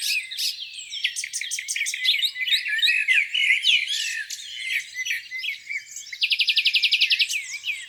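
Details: Spring morning at a lake with several birds singing together; varied chirps and whistles, then near the end a fast, even, buzzy trill of rapidly repeated notes lasting about a second.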